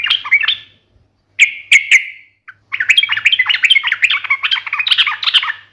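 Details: Yellow-vented bulbul (trucukan) in full, sharp fighting-style song, meant to make other birds answer: a brief bubbly phrase, a pause, three clipped notes, then a long rapid chattering run of warbled notes.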